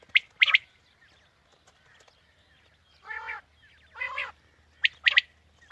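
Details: Morning hunting call for quail: sharp high three-note bursts at the start and end, with two longer, rasping, harmonic notes between them.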